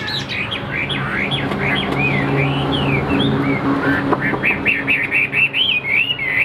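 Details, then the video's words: Afternoon singing by a caged three-yellow hwamei: arching whistled notes and a steady run of repeated chirps near the end, over a low hum and background noise. "Tam hoàng chim đẹp trên từng milimet, hót tốt bộ siêu đẹp"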